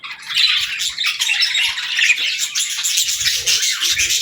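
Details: A pet budgerigar chatters non-stop, giving scratchy, twittering warbles and sharp squawky notes that stay dense throughout, with faint tapping near the end.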